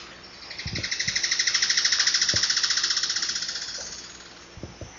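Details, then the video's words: An Alagoas foliage-gleaner (Philydor novaesi), a Brazilian bird, sings a rapid, high, even trill of about four seconds that swells and then fades, with a few soft low knocks. "Canto pássaro Limpa-folha-do-nordeste"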